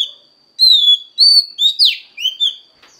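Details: Female Oriental magpie-robin singing to stimulate a male: clear whistled notes, some falling and some rising, delivered in five separate phrases over about three seconds, with a faint steady high tone underneath.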